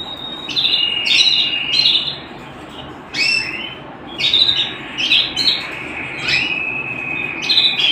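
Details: Canary in a home setting delivering bursts of song: sharp rising chirps flowing into sustained high rolling trills, with short pauses between phrases.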